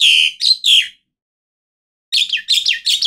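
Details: Asian pied starling (jalak suren) giving loud, harsh squealing notes that slur downward. A second of silence follows, then a quick, scratchy, repeated chatter.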